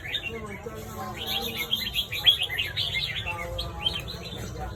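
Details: Red-whiskered bulbul singing in the morning: a lively string of bright, quick chirped and warbled notes running almost continuously, over a steady low rumble and faint background voices.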